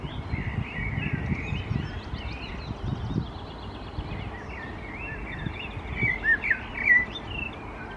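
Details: A common blackbird stands alert on top of a stone pillar and sings softly in Helsinki, Finland, in May 2021: a continuous run of mellow warbled and fluted phrases, louder near the end, over a steady low outdoor rumble.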